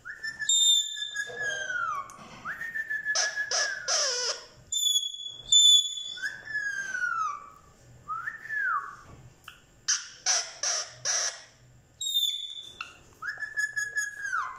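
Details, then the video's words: Talking parrot gives a run of loud whistles, some sliding down and some arching up and down, broken by raspy chattering bursts and pauses, in a quiet indoor setting. "amazing talking parrot"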